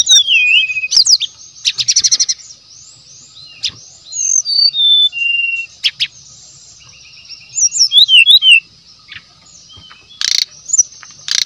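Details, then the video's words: Natural song of a wild brown-chested jungle flycatcher, used as a lure. Bright descending whistles and a rattling burst, quiet gaps, then scattered whistled phrases and twittering notes ending in loud buzzy bursts. "TES MATERI PASTOL HUTAN ASLI JEBOL.!! SRDC GACOR DENGAN SUARA ASLI ALAM, PANCINGAN SRDC MASTERAN"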